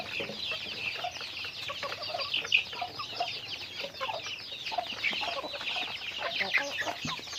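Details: Daily activity among chickens, with many thin, rising and falling chirps overlapping steadily and occasional louder peeps standing out.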